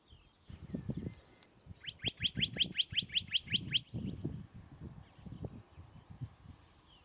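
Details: A Western rock nuthatch, one of a pair that nests each year on crags above Agios Germanos on the Greek side of Prespa, recorded from a distance, gives a fast run of about eleven loud, ringing whistled notes, roughly five per second, over low wind-like rumble.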